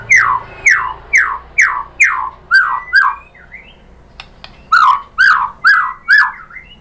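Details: White-rumped shama lure song meant to rouse a caged bird to reply: a run of clear, downward-sliding whistles repeated about twice a second, a brief pause with two clicks, then more slurred whistled notes.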